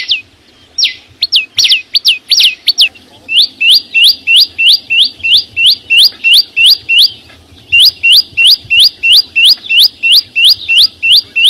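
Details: Green flowerpecker's loud song recorded in nature: a few scattered high looping notes, then a long, regular series of sharp, upward-sweeping whistles, with a brief pause midway.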